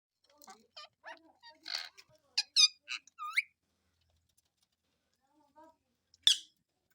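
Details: A pet Indian ringneck (rose-ringed) parakeet talking in Urdu/Hindi while eating chatters in a thin, high, squeaky voice, a quick string of word-like syllables, then goes quiet before one sharp shriek near the end.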